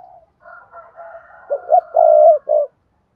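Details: Spotted dove coo used to set off other doves: quiet overlapping coos lead into a loud phrase of short notes, a long steady coo and a closing short note, then silence.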